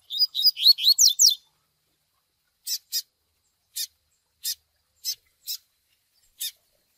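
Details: Young double-collared seedeater begging, meant to train brown males in the Tui Tui Zel Zel style: about six loud rising squeaky chirps in quick succession, then a pause and seven crisp chips spaced irregularly.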